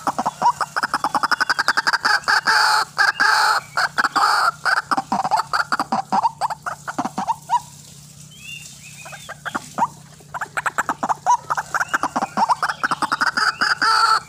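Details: White-breasted waterhen in lively, fierce calling used as a trapping lure: a continuous, rapid chain of harsh, clipped grunting pulses, loud throughout, with a short lull midway before the rhythm resumes.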